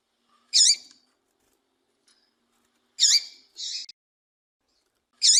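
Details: Calls of a female double-collared seedeater, used to excite males into song: high, sharp chirps, each with a dipping then rising sweep, coming roughly every two to three seconds, one followed by a brief harsh buzz, quiet background.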